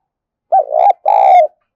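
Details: Spotted dove used as a lure bird for training, 'thổ pha thúc' voice: a rising, rolling coo followed by a longer, sustained hoarse coo that sags slightly at the end; no other sounds.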